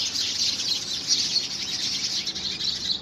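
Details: House sparrows fighting among themselves for possession of a homemade nest box in the first week of February 2017; a dense, unbroken wash of high, overlapping chirps and tweets from several birds, with no pauses.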